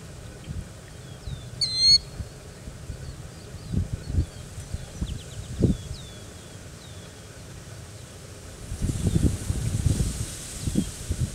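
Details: A Killdeer at Veron Wildlife Area gives one loud, shrill, piercing call, then thinner high notes at a distance, over low gusts of wind and rumbling.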